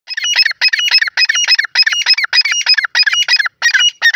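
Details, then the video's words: Francolin calling in a loud, harsh, rasping series of bursts, each about a third of a second long, repeated roughly twice a second without pause; clean recording with no other sounds. "dakhni teetar ki voices 🔥irani teetar ki awaz"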